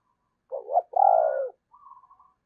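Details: Spotted dove decoy bird with a 'thổ' voice style, used to lure wild doves, giving one clear, mellow low cooing phrase: a short broken coo, a longer steady hooting note, then a softer, thin, higher trailing tone.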